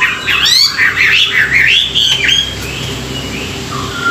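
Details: Chinese hwamei morning song for voice training: a loud, tumbling string of wavering, looping whistles, then fading into a few soft, short notes.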